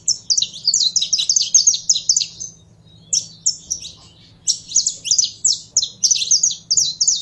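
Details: Kept saffron finch being fired up: rapid strings of piercing high chirps for over two seconds, then a pause with a few lone notes, then another quick energetic run, with a faint hum below.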